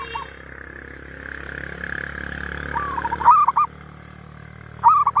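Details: Wild female zebra dove. A gentle coo leads into louder looping phrases of a long rising note and short notes, repeated about every one and a half seconds, over a low hum.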